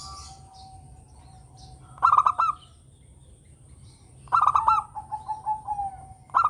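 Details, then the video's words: Local zebra dove, a lively, melodious singer whose song is used as a lure for other birds; two phrases, each a quick burst of clipped cooing notes running into a softer drawn-out trill, a third beginning at the end. "Perkutut lokal gacor suara merdu yang begini bagus buat PANCINGAN"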